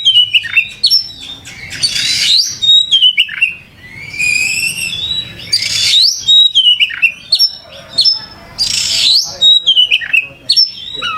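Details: Oriental magpie-robin (kacer) singing continuously in gacor style: rapid clear whistles and falling slurs mixed with three harsh buzzy outbursts, phrases tumbling one after another.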